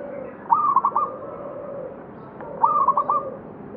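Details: Zebra dove of a local strain at Candi Rimbi, Jombang, repeating a short rolling phrase of rapid, stuttering coos twice, about two seconds apart, over a steady low cooing hum.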